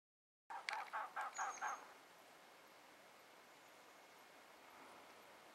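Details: Two male elegant trogons calling to each other in the Huachuca Mountains, southeast Arizona, on 12 April 2009: a quick run of about six hoarse, croaking notes in just over a second, then quiet; a faint thin whistle from another bird.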